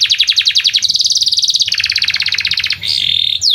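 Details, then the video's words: Canary song used to teach young canaries to sing: rapid trills of bright high notes around 3-6k shifting pitch in blocks, ending with a steady high whistled note and a downward sweep. "Pancingan Kenari Paud Belajar Bunyi"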